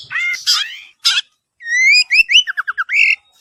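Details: Oriental magpie-robin (kacer) from Palembang in gacor song for isian use: a few raspy notes, a pause, then a long rising whistle leading into a fast series of about eight short, sharp, descending whistled notes.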